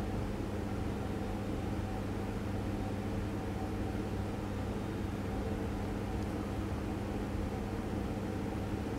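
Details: Steady low hum and broadband rushing noise throughout, like an engine or machinery, with no animal voice.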